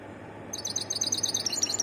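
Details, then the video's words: A European goldfinch in varied song breaks into a fast, tinkling twitter of high, bright notes halfway through, a quick run of liquid chirps over faint background hiss. "تغريد حسون متنوع"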